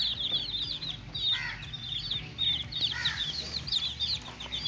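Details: A group of little chicks at play, chirping in quick, bouncy, rising-and-falling peeps, a couple of deeper chirps mixed in, over faint background noise.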